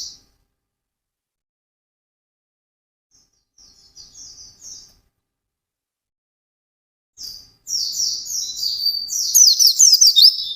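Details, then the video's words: White-eye singing in a fast, intense style: mostly quiet at first, with a few faint high twitters, then a loud burst of rapid, shrill chattering notes in the final three seconds. "SUARA BURUNG PLECI GACOR NGALAS CEPAT"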